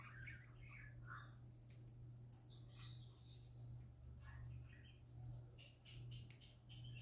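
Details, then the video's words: Happy parakeets singing: scattered short chirps and warbled notes, some rising and falling, over a steady low electrical hum. "Parakeets Singing Happy Parakeets Parakeet Sounds"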